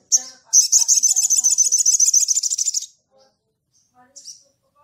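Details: Ruby-cheeked sunbird (sogon) in full 'ngleper' song, calling out to a rival: a high chip, then a fast buzzy chattering trill of about two seconds, pulses stuttering evenly, closing with a lone thin note.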